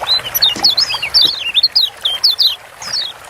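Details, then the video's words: Lombok kecial kuning white-eye, 'ciak joss' style sound used to stir lazy birds into singing; quick high sliding chirps and twitters tumbling in fast series, thinning out toward the end. "Ciak Joss Kecial Kuning Ampuh Bikin Kecial Malas Bunyi Jadi GACOR‼️"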